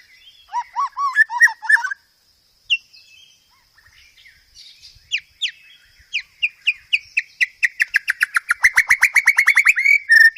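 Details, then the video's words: Master song of white-rumped shama for training caged birds, many filler phrases: opening burst of varied chirps, a pause, scattered sharp notes, then an accelerating series of rapid downslurred whistles that grows louder. "Masteran Burung Murai Batu"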